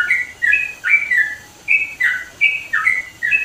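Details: Loud-voiced sooty-headed bulbul from the East Javan mountains, Indonesia, giving clear whistled phrases of paired falling and rising notes, with a short pause midway before the bubbling run resumes.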